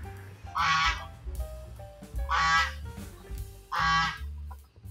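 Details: Goose on a farm, crying as it walks around the house, gives three loud, brassy honks spaced about one and a half seconds apart, with music playing underneath throughout.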